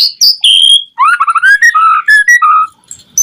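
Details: White-rumped shama singing as a lure for other shamas: two high whistles, then a fast, rich sequence of mellow lower slurred notes in quick succession, closing with a brief sharp note.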